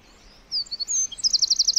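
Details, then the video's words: Tiny wren chirping in woodland: a couple of thin whistled notes lead into a fast, rattling trill of bright, high pips. "1 Hour Of A Bird (Wren) Chirping In The Forest."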